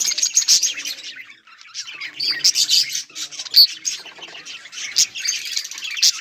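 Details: Budgerigars chirping and playing, recorded 24 July 2023 in a colony: dense overlapping high warbles and chirps from several birds, with short sharp notes and a brief lull near the one-and-a-half-second mark.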